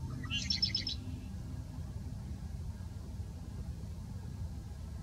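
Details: Territorial song of a male red-winged blackbird, a short burst of brief introductory notes running into a harsh, buzzy trill lasting under a second, followed by steady low background noise.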